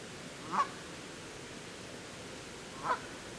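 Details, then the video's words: Canada geese whose goslings struggle to keep pace with the adults; two brief, clear honks about two seconds apart with quiet hissing background between them. "Canada Geese Goslings Struggle to Keep Up"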